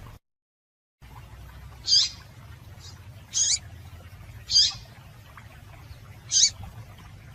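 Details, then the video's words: A female Double-collared seedeater calls to stimulate males: four high, scratchy chips spaced about one to two seconds apart, plus a faint softer note, after a short silent gap, over low hum. "Piado de Fêmea de Coleiro para Esquentar Coleiro"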